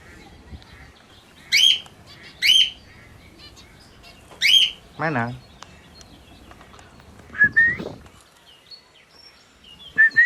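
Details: Sun conure (Aratinga solstitialis) playing with a ring, giving loud, sharp chirps in short bursts, with a person speaking nearby.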